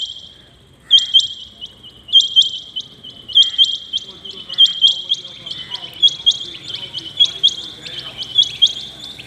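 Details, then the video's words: Early-morning Rain quail calling: a long, even series of high, sharp, metallic double notes, each pair about a second after the last, loud and close over a constant thin high tone. "Rain quail calling 2021 | common quail calling early in the morning | چنگھا بٹیر کی زبردست آواز"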